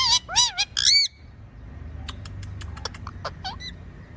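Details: Talking pet parrot lets out four loud, buzzy, wavering whistled squawks within the first second, followed by quiet clicks and faint soft chirps.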